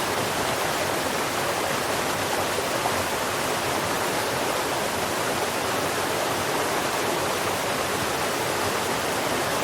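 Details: Steady, loud rushing of flowing water fills the whole recording, like a stream or waterfall, with no animal voice heard.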